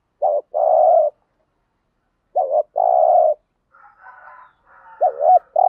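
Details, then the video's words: Spotted dove cooing, played to stimulate decoy doves to coo back; deep hollow two-part coos, a short break then a long level note, repeated at intervals, with faint softer chirping between phrases. "tiếng chim cu gáy kích bổi hiệu quả mỗi ngày. bổi nghe gáy theo"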